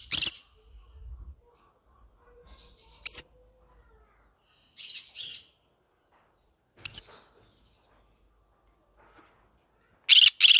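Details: Yellow-sided green-cheeked conure singing with spaced, harsh screeches and raspy double squawks, separated by silences of one to three seconds, ending in a loud burst of screeching.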